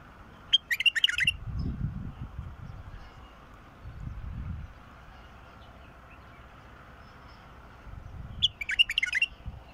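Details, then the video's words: Bulbul, described as an adult mukhallaf bird whose song is used to get a silent bulbul singing: two short bursts of bright, rapid warbled notes about eight seconds apart, over steady low rumbling background noise. "تغريد بلبل مخلف يفتح البلبل الساكت"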